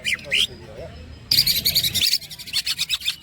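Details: Greater green leafbird (cucak ijo) in rolling song with woodpecker-type and chatter phrases: two rising whistles, a pause, then a dense run of high trilled notes and fast clicking ticks.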